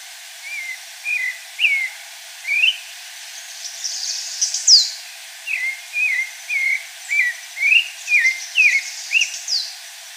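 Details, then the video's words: Pale-breasted thrush singing in the wild: a run of short whistled, slurred phrases around the upper-middle register, delivered about two per second with uneven spacing, plus a brief higher buzzy note near the middle over soft background hiss. "Sabiá-barranco na natureza!"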